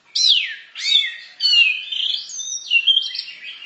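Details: Anis merah, or orange-headed thrush, delivering a varied 'masteran' song: three loud downslurred whistled bursts in quick succession, followed by a rambling run of high whistles and warbles.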